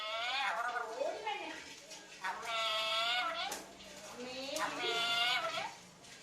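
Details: Parrot talking, with three drawn-out harmonic vocal phrases, each about a second long and spaced roughly two seconds apart, rising and falling like speech-like mimicry, over faint background music.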